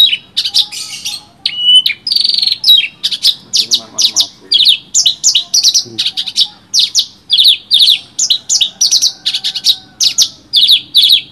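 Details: Javan bush lark delivering a continuous rich song suited for tutoring other birds: rapid, nearly unbroken sequence of high buzzy and chattering notes, each phrase short and sharply repeated, with a brief softer passage early on.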